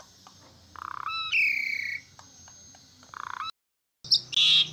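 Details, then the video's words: Caged Asian pied starling singing: a harsh rattling buzz, then a drawn-out falling whistle, another buzzy rattle, a brief gap and closing high squeaky notes. "Jalak Suren Gacor~Jalak Suren Sakit, Macet, Stress, Auto Nyaut Dan Ikutan Gacor"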